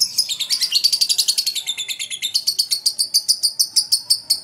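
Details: Lovebird of fighter type in good singing form, giving a long 'ngetik' ticking chatter: a fast, even train of sharp, high chips, about seven per second, steady and unbroken throughout, with faint background hiss.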